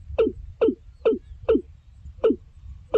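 Watercock giving a steady series of short, hollow, hiccup-like notes, about two each second, each dropping slightly in pitch, over a faint low rumble.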